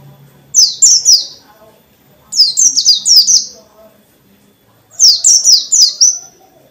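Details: Dakun white-eye in full forest-style song, used to goad other white-eyes into answering. Three bursts of four or five rapid, high, falling whistles, roughly every two seconds, with quiet gaps between.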